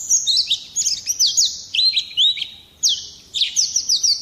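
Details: High, bright Oriental white-eye song, used to lure birds and tutor other songbirds: phrases of quick downslurred and looping whistled notes in short bursts separated by brief pauses.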